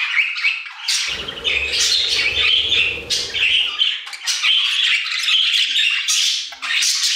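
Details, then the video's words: A flock of budgerigars in an aviary chattering and warbling, bursts of scratchy chirps and whistled notes overlapping, with a soft low rumble early on. "Budgie Songs - 1 hour of Budgies singing in the Aviary"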